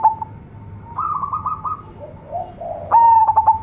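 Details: Local zebra dove, a young bird from a champion decoy line, giving a bright song: a soft coo, then a rapid stuttering run of clipped notes, a lower warble, and a loud rolling trilled coo to finish.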